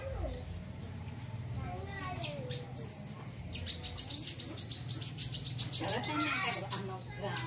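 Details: Vocal wiceh bird in crecet chatter for tutoring other birds. A few scattered high chirps build into a fast run of sharp, high ticking notes, about three or four per second, over a low hum.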